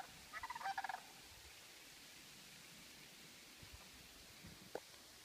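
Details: Sandhill crane (Antigone canadensis) flying into Sherburne Nature Preserve during the fall migration gives one brief, rolling, rattling bugle of about seven rapid pulses, followed by quiet hiss and faint clicks.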